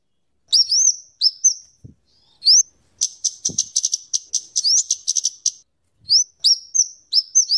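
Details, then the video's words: Scarlet-headed flowerpecker in lively song used for luring birds. Repeated high upslurred whistles frame a long, tightly packed rattle of sharp ticks, with a couple of faint low knocks in the background. "suara burung kemade atau cabe cabean gacor cocok untuk pikat dan Masteran"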